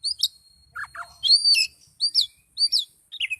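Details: Highly agitated Oriental magpie-robin in steady loud song, with sharp bright whistled notes slurring downward, a few lower chips, and phrases repeated about every half second.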